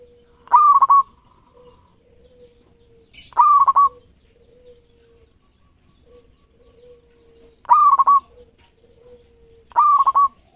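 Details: Lure tutor song of a local zebra dove: four rolling coo phrases spaced two to four seconds apart, each an abrupt rising note breaking into rapid pulses, separated by faint low sustained tones.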